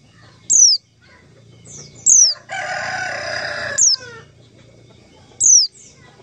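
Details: White-eye lure call for trapping wild white-eyes: sharp, very high downslurred notes, single and spaced over a second apart, with a loud harsh noisy burst in the middle of the stretch.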